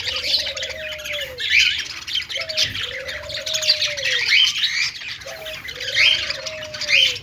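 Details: Budgies playing and sounding happy: dense, high chirping chatter in waves, accompanied by a repeated lower drawn-out whistle-like tone sliding slightly, recurring about every two and a half seconds.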